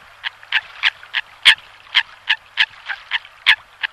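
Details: Eurasian coot call used to draw in birds: rapid series of short nasal barking notes, roughly three per second, with a few louder accented notes.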